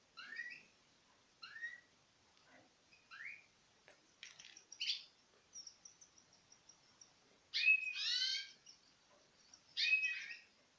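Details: Citril finch pairs from 2016 eating from the hand: short upward-curving thin calls, then a buzzy harmonic-rich twittering burst around eight seconds and another near ten, with faint high ticking in between.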